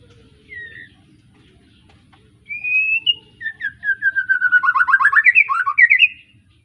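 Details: Young white-rumped shama fresh out of juvenile plumage, kept caged in Pemalang, Indonesia, from an Arko Tangerang line, gives a long rising whistle, then a fast, loud run of about twenty choppy, bubbling notes that climb steadily in pitch.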